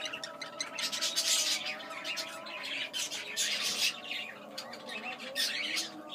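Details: A male English budgerigar chatters in harsh, scratchy bursts with quick squawks and chirps.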